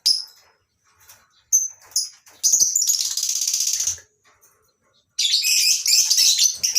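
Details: Lovebirds in a colony cage at a breeding farm in the morning: a few isolated shrill squeaks, then two long bouts of dense, harsh, grating screeching from the flock.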